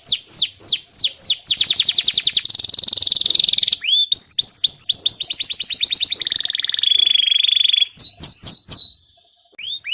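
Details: Canary song intended as a lesson for young canaries and a stimulus for birds that went quiet; swooping whistled notes, rattling trills and a level buzzy phrase, ending in a near-silent gap.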